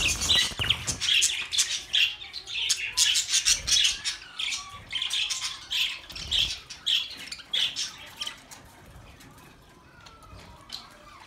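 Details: Budgies chattering for lonely birds: rapid squawky chirps and scratchy warbles tumbling over one another, loud at first and gradually thinning toward the end, with occasional low knocks beneath.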